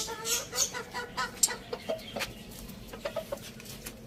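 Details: Chickens, a rooster and hen, eating spinach in a farm village: short harmonic clucks come in quick uneven bursts, with sharp high chirps of small birds scattered throughout.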